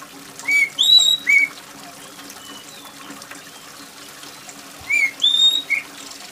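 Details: Loud, piercing oriental magpie-robin song with steady rainwater trickling behind: two short phrases of sweet whistles, a rising note, a long high slur and a dropping note, repeated after a pause of about three seconds.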